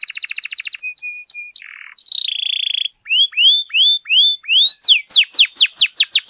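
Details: Canary song intended to excite other canaries: a quick stuttering trill, level whistled notes, a harsh buzzy burst, then five evenly spaced rising whistles and a flurry of falling sweeps.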